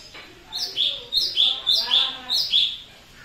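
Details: Energetic cucak cungko bulbul song: lively, clear chirped phrases, each a sharp high note falling into a lower warble, repeated roughly twice a second, with soft background talking.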